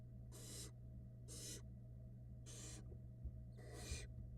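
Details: Fluffy barn owl chicks being fed by the female inside a Florida nest box: four rasping, broadband hisses about a second apart, each under half a second long, against a constant low hum.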